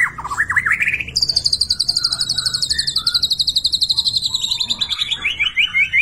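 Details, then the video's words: White-rumped shama from Borneo of the gembung type singing: a rising whistled run, then a long fast high trill of rapid repeated notes, nearly three per second, slowly descending, with soft lower whistles underneath. "MURAI BATU BORNEO/MURAI GEMBUNG GACOR ISIAN MEWAH"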